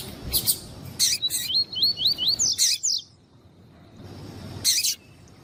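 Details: Double-collared seedeater giving tuí tuí song while a female calls to excite males: a few sharp chips, then a smooth run of about six wavy slurred whistles, silence, and a final chip.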